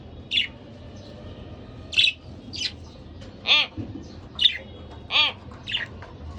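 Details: Two pet budgerigars, a pair, giving single bright chirps roughly every half second to second, several with a rolling, trilled edge, against a low steady hum.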